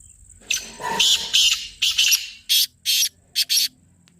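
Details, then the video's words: Black francolin voice for calling the bird: a run of loud rasping, harsh notes, first blurred together then separated into short sharp bursts, over a constant high whine and faint low rumble. "کالا تیتر بلانے کا طریقہBlack Teetar Voice: 100%Result for Calling"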